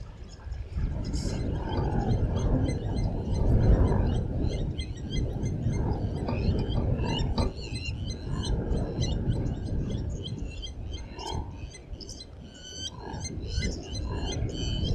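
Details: Blacksmith lapwings defending their nest at Djuma Private Game Reserve give rapid, metallic clinking notes, repeated several times a second throughout, over a loud, steady low rumble.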